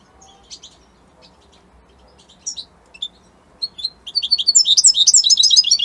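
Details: European goldfinch of Italian type: scattered soft chirps and isolated twitters for several seconds, then a loud, rapid burst of high tinkling and buzzy notes building at the end.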